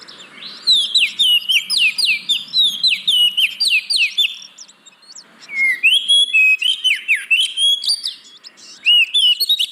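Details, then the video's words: Lure song of an oriental magpie-robin, meant to prompt lazy birds to sing: rapid runs of sharp, repeated whistled notes, almost four per second, then a short pause and a fresh run of similar notes. "Pancingan Burung Kacer Yang Malas Bunyi"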